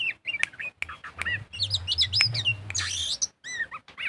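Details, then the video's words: Oriental magpie-robin singing gacor in ngobra style as a lure: a busy stream of sharp clicks, whistled slurs and quick high notes, a harsh rasping burst near the end, over a low rumble. "Pancingan burung kacer gacor full ngobra"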